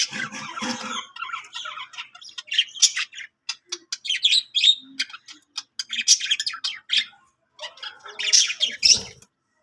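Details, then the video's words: Parakeet chirping: scratchy warbles at first, then a string of quick sharp clicks and chirps, ending in a loud squawky burst. "singing budgie budgie sounds |budgie voice Love budgie parakeets chirping sounds"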